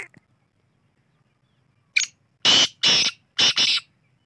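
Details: Black francolin calling: after a brief faint note, three loud, harsh, grating bursts follow in quick succession, the last split in two, on a quiet background.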